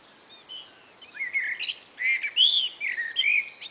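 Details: Two Common blackbirds chat on a spring afternoon, trading short, fluty warbled phrases ending in thin, squeaky twitters, one after another, over a faint background hiss.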